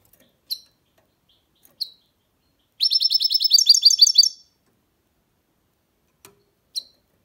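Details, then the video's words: Goldfinch mule, a goldfinch hybrid, singing: isolated sharp high chirps, then a rapid, high, sparkling trilled burst of about a dozen notes lasting under two seconds, followed by a few more single chirps. "Goldfinch mule’s (hybrid) singing"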